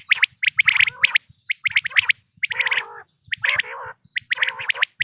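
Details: Natural quail voice recorded for hunting: quick groups of sharp high chirps alternating with lower buzzy, rasping phrases, repeated through the clip.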